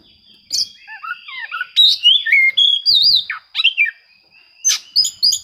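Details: Oriental magpie-robin singing to seek out rivals, used as a lure to provoke reluctant birds into singing: loud, varied whistled phrases, sliding and looping notes with sharp clicks, over a steady high electronic whine.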